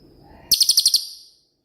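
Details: Cililin, a shooting-type bird used as master song for training songbirds: one loud, very high rattling burst of about seven sharp notes in half a second, fading out afterwards.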